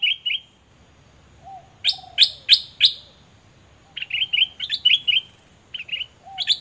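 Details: Decoy Olive-winged bulbul from southern Thailand, used to attract rival birds: sharp, ringing notes and fast, bubbly warbled phrases, with soft low cooing in the background.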